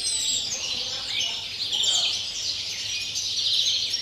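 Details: European greenfinch, pure 'campero' song recorded 30 December; continuous high buzzy twittering and trills in repeated phrases, with a low steady hum beneath.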